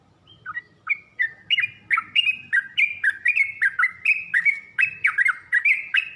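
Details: Yellow-vented bulbul song used as a lure and training recording so other bulbuls learn to sing: a steady run of short bright chirps, each a quick bent note, repeated about twice a second, growing louder after a soft start.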